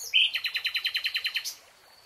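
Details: Nightingale song in a lush green forest: a loud opening whistle followed by a rapid, even series of about twelve throbbing repeated notes, closing with a brief high flourish.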